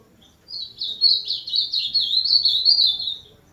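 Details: Ultramarine grosbeak (azulão), 'máquina' song: a loud continuous warbled phrase of quick high twittering notes lasting nearly three seconds, fairly even in pitch, with little background noise.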